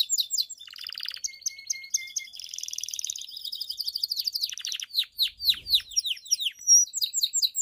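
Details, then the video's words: A painted Belgian canary sings a fast, varied bell-type song of high trills, rolling buzzy phrases and bright repeated chip notes that sweep down in quick bursts. "Canário Belga canto CAMPAINHA (sing bell belgian canary)"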